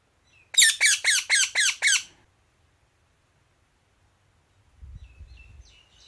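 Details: Indian ringneck parakeet calling with six fast, harsh squawks in an even run, followed by quiet, then faint softer chirps and low background rumble.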